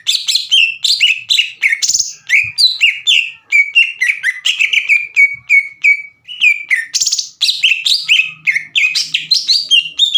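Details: Green leafbird singing hard as a lure to provoke a rival bird: rapid, varied whistled and chattering notes, sliding and buzzy, delivered in a nearly continuous fast stream with brief pauses.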